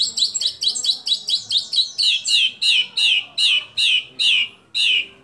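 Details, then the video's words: White-rumped shama delivering a fill-in phrase favoured by judges: a brisk string of descending chirps that slows into about eight loud, evenly spaced slurred whistles, each falling in pitch. "25 Tembakan Murai Batu Isian Sadis Dan Mewah Yang Disukai Juri"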